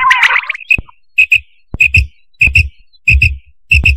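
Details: Quail call played for night use: after a brief harsh chatter, clear paired whistled notes repeat about every two-thirds of a second, each pair with soft low thumps beneath.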